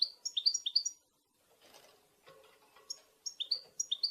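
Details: European goldfinch chatter, locally called betbeta, used to excite males into singing. The calls tell other goldfinches where the bird is, for mating. Two quick bursts of bright, clipped twittering notes are separated by a quiet, faintly noisy gap.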